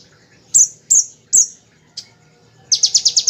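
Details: Bar-winged prinia in the shooting ngebren style, used as a tutor recording for magpie-robins and shamas. Three loud, well-spaced upslurred chips and a softer fourth give way to a fast rattle of six high notes at the end.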